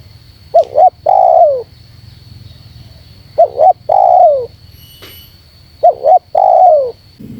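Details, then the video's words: Spotted dove call aimed at provoking wild doves: three phrases of two quick notes and a long sliding coo, every two to three seconds, with a brief click and a low thud near the end. "Suara Terkukur Menekan Rapat Lawan Pemancing EMOSI Terkukur liar"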